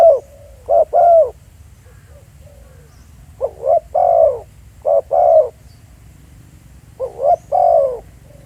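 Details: Spotted dove calling live at a field site at Pha Sing, Thailand: clipped double coos, each a short note and then a longer mellow one, given in separated bursts with quiet pauses between them and faint low background rumble.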